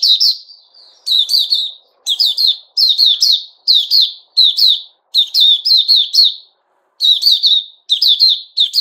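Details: Caged male bulbul known as puteh raja, recorded 10 July 2021, singing loud, rich warbled phrases of rapid slurred whistles and chattering notes, each burst about half a second long, separated by brief pauses, with no other sounds.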